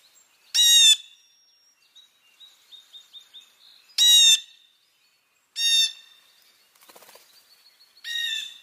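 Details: Blue Jay on a cold morning, breath visible, gives loud, harsh jeer calls, four in about eight seconds, with faint softer notes from other birds between them.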